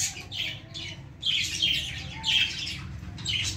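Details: Baby lovebirds perched in a plant give harsh, high squawks in short clusters roughly once a second, with uneven spacing between the bursts.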